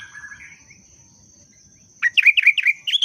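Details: Breeding-condition sooty-headed bulbul as a booster sound: quiet opening with a few soft notes, then a rapid chattering burst of about six arched, bubbly whistles to the end, above a steady high thin tone.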